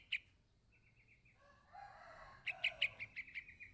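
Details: Yellow-vented bulbul chick calling its parent: short bright chirps, one alone, a brief trilled run, then a rapid series of six sharp notes near the end, with a soft rushing noise in between.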